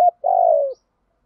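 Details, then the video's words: Spotted dove thúc gù coo: one brief clipped note followed by a single long, hoarse, slightly falling coo, then silence. "cu gáy thúc gù"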